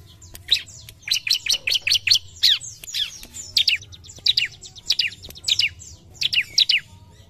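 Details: Bar-winged prinia singing vigorously, said to rage at once at a rival: rapid bursts of sharp, high, slightly descending chirps in quick runs of two to five notes, broken by short pauses, over a faint low hum.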